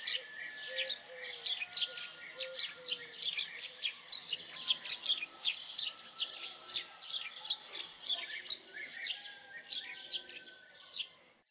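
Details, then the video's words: Dense, excited series of house sparrow chirps running continuously, harsh and high, a few low notes at the start and a faint level hum beneath. "Common Sparrow Song ! Common Sparrow Sound ! Common Sparrow Call ! Sparrow Sound ! Sparrow Call"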